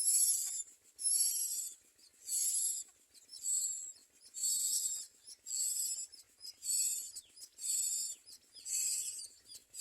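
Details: Common mynas perched in a tree while feeding their young give harsh, hissing, raspy high-pitched bursts, each about half a second long and about one a second, with little else heard.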